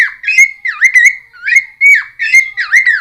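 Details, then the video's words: Cucak timor singing, recorded for use as a lure and song tutor for untamed birds: clear, high whistles with dipping and rising slurs, delivered in short phrases about half a second apart. "Cucak Timor Gacor Full Isian MP3 Untuk Pancingan Burung Bahan"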